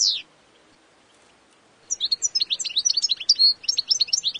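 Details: European goldfinch calling: a brief high note at the start, then after a pause a lively run of tinkling, twittering chirps, high-pitched and rapid, lasting over two seconds with no other clear sounds.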